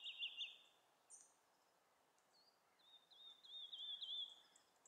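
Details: A woodlark sings soft, liquid whistled notes that trill and repeat quickly, with a brief higher skylark migration flight call around second 2, against quiet background hiss.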